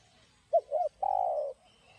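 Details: Spotted dove in 'giọng đồng' style, a song meant to stir and lure other doves. Two quick inflected coo notes lead into one long, level, hoarse coo, with a faint high tone in the background.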